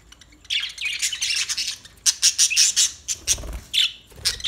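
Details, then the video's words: Newly acquired pet budgerigars chattering in a rapid run of scratchy, high squawks and chirps, growing into evenly spaced harsh notes. "New Budgie Birds Sounds"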